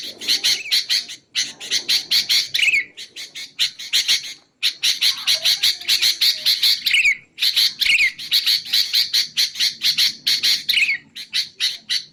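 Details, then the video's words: Sooty-headed bulbul song used to train caged songbirds and to lure bulbuls: dense series of harsh, buzzy chattering notes with occasional falling whistled slurs, in bursts of a few seconds separated by brief gaps. "BURUNG KUTILANG untuk ocehan mantab"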